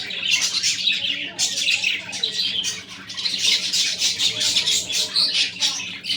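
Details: Budgerigars with chicks keep up continuous, dense, high scratchy chattering and chirping, busy and unbroken, with a faint low hum beneath.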